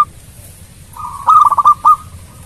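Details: Local zebra dove singing to make rival birds answer quickly: a faint soft hum, then a short burst of quick, bubbling mellow coo notes ending in one longer clear note, over quiet low background rumble.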